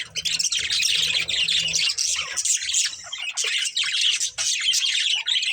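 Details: Budgerigar breeding pair chirping: dense, continuous high twittering and squawky chatter, fast and unbroken, with a low hum in the first two seconds.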